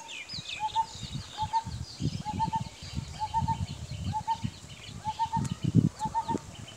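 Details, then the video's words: A common hawk-cuckoo repeats short groups of two or three clear, slightly rising notes about every second, over heavy low rumbling and faint chirps from other birds. "Common Hawk Cuckoo bird"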